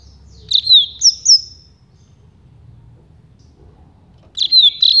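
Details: Rusty-collared seedeater singing the campainha song, also called carretilha or flauteado, used to train young birds; short bursts of clear, high whistled notes with downward slurs, two phrases separated by a silent pause of about three seconds.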